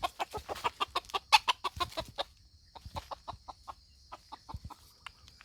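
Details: Red junglefowl from Aceh at Indrapuri, Indonesia, giving a rapid series of short, sharp clucking notes, about ten per second-and-a-half, fading into softer, more widely spaced clucks, with a steady high hiss behind.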